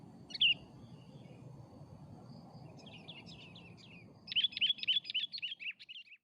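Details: Sooty-headed bulbul, afternoon lure song: one short bright note, then a soft run of descending notes, and finally a loud rapid string of about ten chirpy, bouncing phrases; low background hum throughout.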